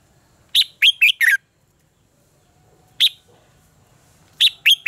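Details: Red-whiskered bulbul contest-style singing, used as decoy song for training birds and prompting them to sing: a burst of four quick, slurred whistled notes, a lone note, then three more, separated by quiet pauses.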